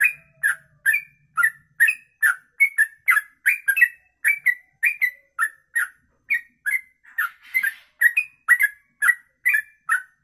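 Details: Long 'ropelan panjang' song by a trucuk, or yellow-vented bulbul, suitable as tutor audio: a sustained chain of short warbled whistles, paired and uneven, around two to three per second, briefly overlaid by a soft hiss.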